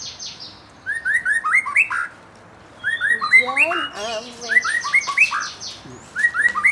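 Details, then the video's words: White-rumped shama, young wild-caught bird and fledgling provoked into song: loud varied whistled phrases in several bouts, with quick slurred notes, buzzy trills and a lower rolling series in the middle. "Mancing emosi murai batu bahan muda hutan dan trotolan cepet ngeplong"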